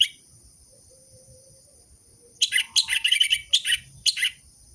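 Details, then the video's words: Orange-headed thrush song meant to prompt caged birds that have stopped singing: quiet start with a faint low whistle, then a fast burst of sharp high chirps and rattling trills in clustered groups over the last two seconds. "Pancingan burung anis merah macet dan malas bunyi"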